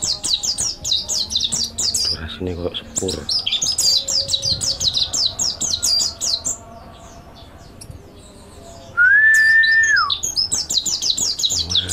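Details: Energetic mountain white-eye song for training other birds: bursts of quick, high chirping twitters broken by short pauses, a single clean level whistle near the end, then the chattering resumes.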